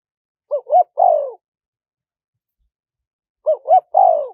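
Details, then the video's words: Spotted dove in small-voiced 'karom pa' wild style, with khat, nun and ku ang, played to lure wild birds: two short three-note phrases three seconds apart, two quick rising coos then a longer falling coo. "เสียงนกเขาใหญ่ คารมป่า (เสียงเล็ก) มีขัด มีหนุน คูอ่าง ใช้สำหรับเปิดต่อ ยั่วนกป่าเข้าร่วมเร็ว"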